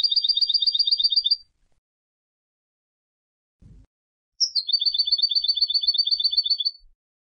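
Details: Goldfinch from Istanbul, Turkey, in song, delivering long, even, rapid trills of doubled high notes, about four per second. A first trill fades out, then after a pause a sharp introductory note leads into a second, longer trill.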